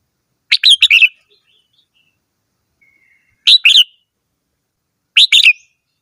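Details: Red-whiskered bulbul singing three cheerful phrases, each a tight burst of three or four liquid, slurred notes, separated by pauses of about two seconds, with a faint thin whistle in between.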